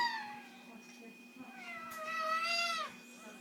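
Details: Pet amazon parrot in a covered cage at bedtime, refusing to sleep and imitating a complaining cat: a drawn-out, wavering meow with harmonic bands, a short call first and a longer rising-falling wail; a faint constant hum and a person speaking before.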